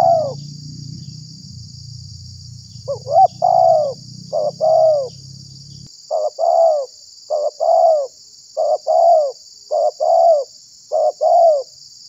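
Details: Spotted dove call serving as a decoy to lure wild doves and make others respond: paired soft coos, a short hooked note then a longer mellow one, repeated about eight times, with low rumbling noise in the first half and a steady high hiss.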